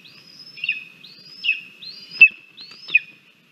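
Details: Lesser spotted eagle chick at a Latvian nest on the morning of 17 August 2022, crabby and pushing its mother out after grabbing food, gives thin, high whistled calls sliding into a steady piping note, repeated about every three-quarters of a second.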